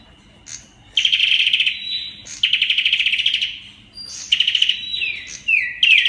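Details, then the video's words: {'caption': "Olive-backed tailorbird singing in its 'Kalashnikov' style: loud, rapid machine-gun rattles of high notes in three bursts, with short thin whistles between and a final downslurred whistle."} "Sâu đầu đỏ bắn Kalashnikov . Bird singing Orthotomus sepium"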